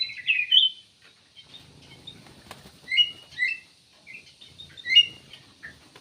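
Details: Cucak emas, or kutilang emas, singing short bright chirped and whistled phrases, sharp notes in bursts near the start, middle and end, with quiet gaps and faint low rustling between them.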